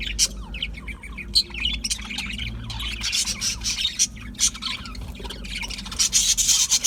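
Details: Budgies warbling and chirping, a scratchy, chattering run of rapid high notes with sharper squeaks now and then, growing busier toward the end.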